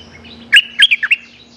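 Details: Streak-eared bulbul calling a mate: four short, ringing chirps, the second and third slurred downward, over a soft constant hum.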